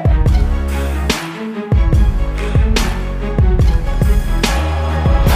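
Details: Loud music only: a bowed string melody over heavy, regular bass beats, with no animal voices heard.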